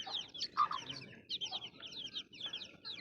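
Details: Baby chicks chirping: many high, short peeping notes overlapping in a busy chorus, with a few lower, louder cheeps standing out near the start.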